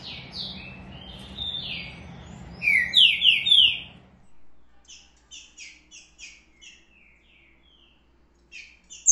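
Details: Green-winged saltator in full song, loud rich whistled phrases with strongly descending slurs, then a run of short bright paired notes repeated several times a second, ending with another phrase; a low hum fades out midway.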